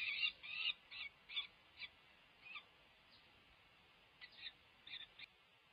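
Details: Peregrine falcon chicks, over five weeks old and close to fledging, at a UC Berkeley nest during a feeding in May 2023. Scratchy begging notes, loud at first, then sparse faint bursts, a few louder notes near the end.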